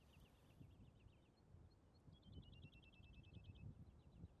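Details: Woodlark singing in the Amsterdamse Waterleidingduinen dunes, Netherlands: faint, quick series of repeated liquid notes running in strings, some slightly falling, with strong low wind rumble underneath.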